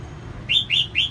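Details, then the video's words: Female red-whiskered bulbul, singing to get males going, gives three rapid, clear whistles that each sweep upward, evenly spaced over about half a second. "CHÀO MÀO MÁI SIÊNG HOT KÍCH TRỐNG CĂNG LỬA"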